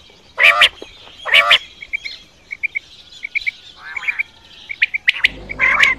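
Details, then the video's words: Quail calls for night hunting: two loud, hoarse squawks early on, then soft paired ticks and a fainter buzzy note, with a rough burst of noise at the end. "Quail Voice Sounds For Hunting Raat Ki liye Saaf Awazay Quail sounds Batair Ki Awaz"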